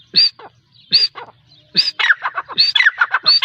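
Grey francolin female calling: loud, harsh, high squealing notes, first spaced nearly a second apart, then run together into a rapid, scratchy series.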